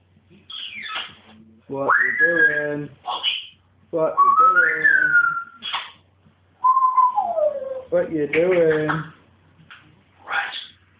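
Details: Caged pet African grey parrot acting wildly indoors. It gives a string of harmonic, voice-like whistles, some rising and some gliding down, broken by short gaps and rough squawky bursts.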